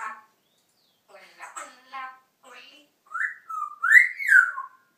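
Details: Pet African grey parrot talking freestyle: a run of soft, speech-like babbled syllables, then louder whistled notes that swoop up and down, all in a quiet room.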